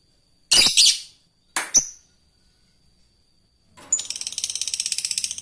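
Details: Fighter lovebird calling to an opponent: two harsh, noisy squawks separated by a pause, then a rapid, high, rattling chatter building in the last second and a half.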